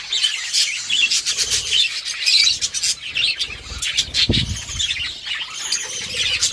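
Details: Many budgies playing together, recorded October 30, 2023, fill the air with continuous high, twittering chirps and harsh squawks; a brief low thud near the end and some wing flapping.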